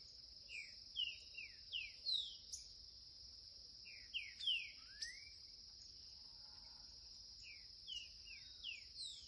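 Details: Green-winged saltator, a young bird, giving curricutil song: clusters of brief downslurred whistles repeated irregularly, with one longer rising note, against a constant high-pitched buzzing background.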